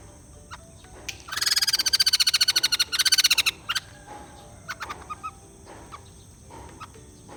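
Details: White-crested laughingthrush giving a loud, fast rattling chatter of evenly spaced notes lasting about two seconds, followed by a short pause, a brief final burst, and then soft scattered notes.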